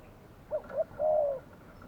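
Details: Decoy spotted dove calling during a Saturday trapping session: two short soft coos followed by one longer, sustained, slightly falling coo, over a quiet background.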